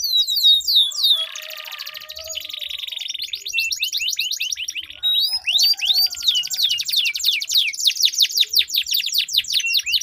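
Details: Canary duel of sweet long rolling song, played to set silent canaries singing: buzzy rattling rolls give way to long runs of fast repeated arching notes, several birds overlapping.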